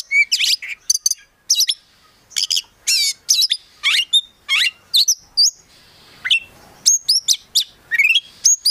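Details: Energetic song of a kept Oriental magpie-robin, known locally as kacer: a dense string of high chirps, upslurred whistles and clicking notes, delivered in steady bursts about every half second.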